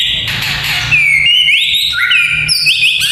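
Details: White-rumped shama song with crackling notes, played to train young fighting males: a rich run of clear whistled notes, slurring up and down at shifting pitches, layered and nearly continuous, with a soft low hum underneath.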